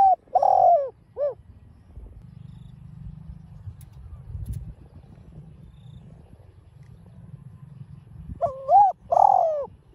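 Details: Spotted dove calling in 'đồng pha' voice to stir up rival doves. The tail of one coo phrase opens the clip, followed by a quiet stretch with low hum. Another mellow coo phrase begins near the end.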